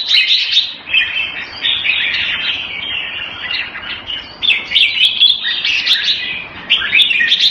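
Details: Hobby-kept red-whiskered bulbul giving lively, continuous song: strings of quick chirping and warbling notes in bursts about a second long, separated by brief pauses. The phrases vary slightly from one to the next, with no other clear sounds.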